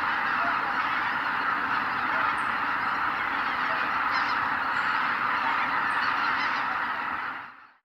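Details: Sunrise flight-out of a vast greater white-fronted goose flock from the roost at Kabukuri-numa, Miyagi, Japan; rapid, overlapping honks at roughly four per second over thunderous wing noise, a few distinct high cackles, fading out abruptly at the end.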